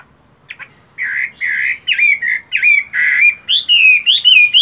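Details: Chinese hwamei kept as a cage bird, singing during its moult in morning voice training. After a short pause comes a loud, varied run of rich slurred and whistled notes, some harsh, others rising in pitch toward the end.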